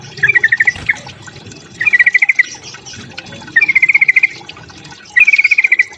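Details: Sooty-headed bulbul fighting song, used to provoke other birds: four short bursts of rapid stuttering chirps, each about half a second, repeated roughly every one and a half seconds, with faint background noise.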